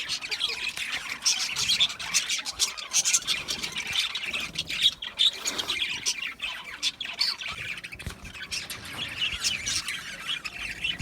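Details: Several budgies chirp and warble nonstop, a busy mix of sharp squawks, raspy chatter and brief whistled notes layered over one another for the whole stretch.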